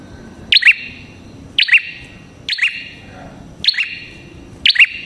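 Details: Prinia, locally called red-headed prenjak, singing lively for luring other prinias: sharp double chirps, a high clipped note then a lower buzzy one with a ringing tail, repeated about once a second, five bursts over a quiet background hum.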